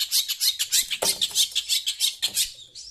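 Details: Shrike (pentet) excited by sound from a phone, giving a fast string of harsh, grating, high scratchy notes about five per second, ending in a thin descending squeak.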